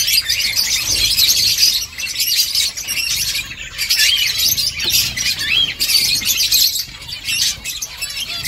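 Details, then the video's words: Nest-building finches give a busy chorus of high chirps and trills, loud bursts broken by short dips around the second and seventh seconds. "Finches chirping sounds Finches making nest"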